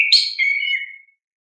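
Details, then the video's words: Oriental magpie-robin (kacer) song used as a lure to stimulate young caged kacer birds: a single clear whistled phrase, starting on a steady note, then a brighter burst and a long falling whistle fading out, no other sounds. "Pancingan Kacer GACOR"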